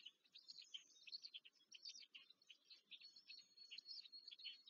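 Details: Black stork chicks being fed at the nest near Łódź, Poland, on 14 May 2023. They give a dense, high chattering of short chirpy notes, many per second, without pause, over a faint low rustle.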